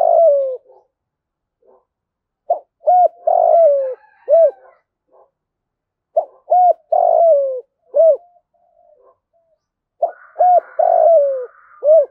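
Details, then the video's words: Spotted dove, a decoy bird trained daily to coo: clear low cooing in short bursts, a few brief notes followed by a longer falling coo, phrases repeated across the recording with quiet gaps between groups. "chim cu gay tap bổi hiệu quả/ luyện chim cu mồi hàng ngày gáy theo"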